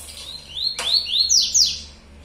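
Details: Yellow-bellied seedeater of the Baiano type singing in the "tui tuí zero zero" style: clear, high whistled notes, each sweeping upward, given in quick succession, with a soft low hum behind.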